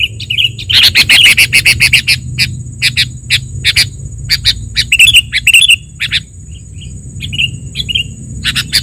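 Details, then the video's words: Sooty-headed bulbul sounds meant for trapping and training captive birds: dense runs of bright chirps and clicks, several per second, with shorter twittering notes later, above a soft low hum and a steady high tone. "SUARA PIKAT KUTILANG DIJAMIN AMPUH 100% || Masteran Kutilang"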